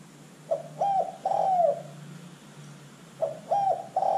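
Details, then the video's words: Spotted dove cooing as a lure to get other birds calling; two phrases about three seconds apart, short bent notes leading into a drawn-out, slightly falling coo, over a faint constant hum. "LANGSUNG IKUT BUNYI dengan pancingan terkukur GACOR ini"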